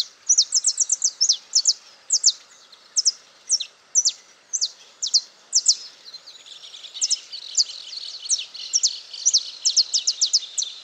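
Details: A wild saffron finch singing free in Itatiba, São Paulo, Brazil, at 08:05 on 22 September 2018: bright, high chips and sharp slurred notes in quick bursts, growing into a denser twitter partway through, over faint hiss.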